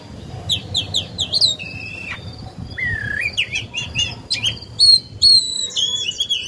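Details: Caged decoy oriental magpie-robin singing to encourage other birds to sing. Clear, rising whistles and slurred notes come in quick succession, mixed with high chips and a few longer held tones.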